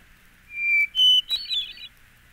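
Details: Hermit Thrush singing one phrase: a long pure whistle, a second slightly higher whistle, then a fast cascade of higher, echoing flute-like notes over near silence.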